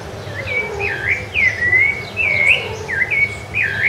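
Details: Rufous-bellied thrush song, Ilha do Governador, January 2013: a quick sequence of bright slurred whistles, rising then falling, repeated irregularly about once a second with a few soft lower notes beneath.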